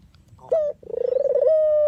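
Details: Puter or deruk dove used as trapping bait: a brief clipped note, then a quickly pulsing rolled coo that settles into a smooth, level, sustained tone.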